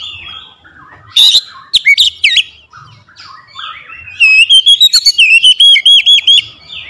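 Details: Lure song of an oriental magpie-robin for stirring a lazy bird into full song: mixed chattering and scratchy notes with sudden sharp whistles, ending in a loud, quickly repeated series of bright ringing notes.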